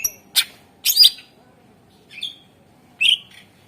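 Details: Greater green leafbird song used as a lure recording to prompt silent birds to sing: four short, separate bursts of sharp, high chirps and brief whistled notes, with near silence between them.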